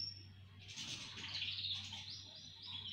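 Several canaries sing at once, a dense, bright chorus of rapid high warbles and trills that runs on without pause over a low steady hum.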